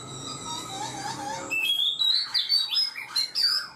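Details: Black-throated laughingthrush kept caged four months: a soft wavering low warble first, then sharp high whistled notes and rising slurs in a rapid, varied sequence.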